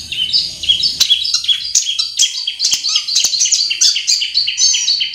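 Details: In its natural habitat, a Long-tailed shrike delivers a varied, rapid song of high chirps, trills and slurred whistles, broken by a few sharp clicks.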